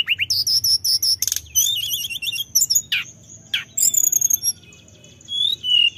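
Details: Male orange-headed thrush, a lure bird, pouring out a varied song of high thin whistles, sputtering trills and sharp clicks, with a brief quiet gap near the end before a final whistle.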